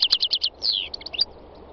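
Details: A wild European goldfinch sings a quick run of five bright, tinkling notes, then a descending buzzy slur and a jumble of liquid twitters, all high-pitched.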